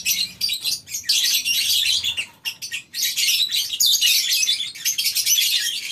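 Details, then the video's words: Morning chorus of lovebirds kept together in a farm colony cage: bursts of piercing, rapid chirping from many birds, broken by brief near-silent gaps around the second and third seconds. "Suasana Pagi Di Peternakan Burung Lovebirds di Kandang Koloni, Suara Love bird"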